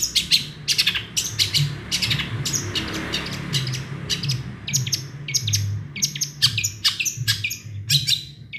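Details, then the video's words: Dense, nonstop long-tailed shrike song full of small-bird imitations, a fast rattling series of harsh buzzy chirps and clicks, loud and continuous for over eight seconds. "Cendet gacor full isian burung kecil"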